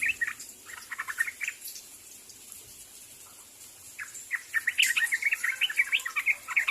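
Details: Sooty-headed bulbul calling out to other birds: a few spaced chirps at first, a quiet pause, then a dense, excited burst of quick bubbly notes that carries on to the end.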